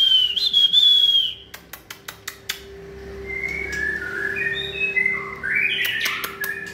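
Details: White-rumped shama in fiery peak condition, 2020 season: an opening wavering high whistle, then a run of sharp tapping clicks over a steady low hum, followed by quieter scattered whistled notes.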